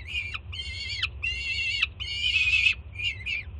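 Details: Juvenile peregrine falcon on an urban nest ledge in Jersey City begging loudly from its mother arriving with breakfast; four long, harsh screams that drop in pitch at the end, then softer short notes, over low hum.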